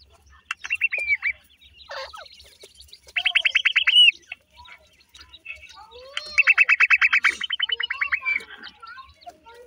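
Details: Black francolin chicks utter scattered slurred notes, then two clear bursts of rapid, evenly paced descending peeps amid soft background chirping.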